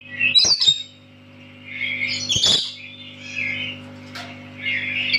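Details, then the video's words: Tame lory giving loud, shrill chirps and harsh squawks: two sharp bursts at the start, then a longer rasping call, with softer chattering notes between, over a steady low electrical hum indoors. "Kicauan Nuri"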